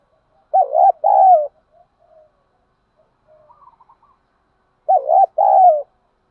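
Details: Spotted dove coos played to stimulate birds in training, male and female included: two short soft phrases, a rapid double note then a drawn-out descending coo, with quiet faint notes between.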